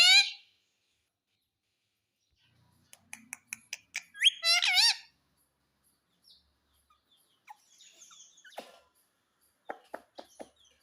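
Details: Talking green parrot, a ringneck pet, saying "mummy": one bright harmonic call at the start, a series of crisp clicks, a loud wavering call around 4.5 seconds, then faint ticks and scratchy sounds.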